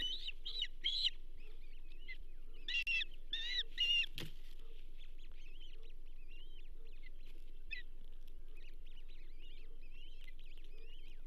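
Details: Osprey at the Charlo nest on 15 June 2024, around the delivery of a second bull trout: loud bursts of high, whistled, hooked chirps repeated rapidly for four seconds, then softer scattered chirping over a steady low hum.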